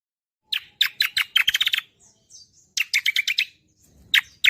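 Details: Cucak kombo gacoran tutor song: clusters of loud, sharp chirps, a quick stuttering run, soft whistled notes in a gap, then another burst of rapid chirps and two final sharp notes.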